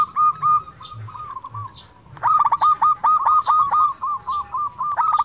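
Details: Local-strain zebra dove in full song, used as a lure to push lazy or quiet doves into singing: soft stuttering coos, then a loud run of rapid, rolling, hoarse notes repeated in quick bursts.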